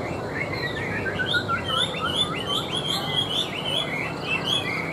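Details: Table-placed tame Chinese hwamei in full song: a fast, ever-changing stream of bright whistles, rising and dipping slurs and chirps, with steady low noise beneath.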